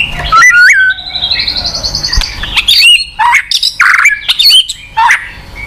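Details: White-rumped shama song for prompting a silent shama: a whistled flourish leads into a long, rising buzzy trill, then short harsh notes and bright high whistles.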